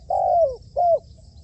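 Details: Spotted dove, a decoy bird under training for trapping, gives two mellow coos: a longer note that slides downward at its end, then a shorter one, followed by quiet low background hum.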